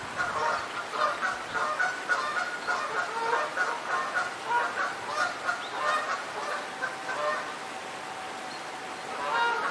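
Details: Flock of geese beside a daytime stream, honking almost continuously in rapid, uneven bursts of harsh nasal calls, several birds overlapping, with running water hissing underneath throughout.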